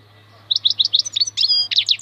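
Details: European goldfinch (maknine khalwi, wild) bursts into quick, varied high twittering with metallic slurred notes, over a constant low electrical hum.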